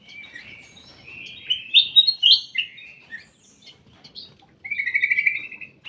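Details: Ruby-throated bulbul in a private aviary, giving short warbled, chattering phrases that rise and fall in bursts, then a steady buzzy trill near the end, with quiet gaps between.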